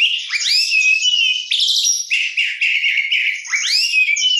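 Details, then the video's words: Oriental magpie-robin pouring out a luxurious isian-filled song: rising swooping whistles, steady warbled stretches and a bright upslurred whistle near the end, loud and continuous. "kacer gacor isian mewah"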